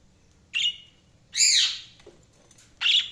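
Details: Budgerigar chirping: three bright, harsh chirps spread over three seconds, each broad and scratchy with a squawky middle note; quiet low hum between calls.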